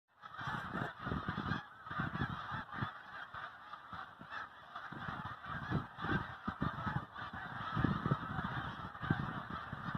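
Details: Migrating snow geese, a flock calling together in a dense, continuous chorus of overlapping nasal honks with a low rumbling background.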